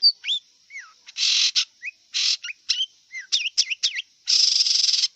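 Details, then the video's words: Wild long-tailed shrike giving a mixed song of looping whistled slurs rising and falling, alternating with long harsh rasping bursts, over a faint steady high hiss. "Kicau cendet liar"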